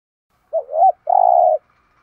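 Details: Spotted dove giving a 'thúc gù' urging coo, used to excite other doves into calling: a short bent double note followed by a longer steady, slightly throbbing coo, about one second in all, with silence after.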